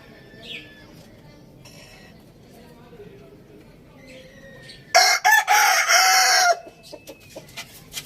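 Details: Rooster in a farm village crowing: after a quiet stretch with faint chirps, one loud, harmonic crow lasts about a second and a half and is broken by short breaks, followed by scattered soft clucks and ticks.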